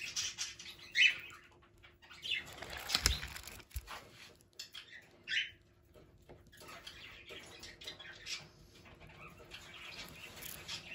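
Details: Pet society finch (Lonchura striata domestica) giving scattered high, thin chirps and brief scratchy song phrases, with clicks and clattering noises between the notes.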